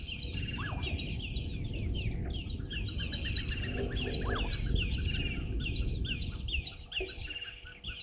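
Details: Red-billed buffalo weavers at a waterhole on Djuma Game Reserve, Sabi Sand, South Africa, around 10:00, chatter in a busy continuous stream of squeaky rattling notes and whistles, several at once, over a low rumble.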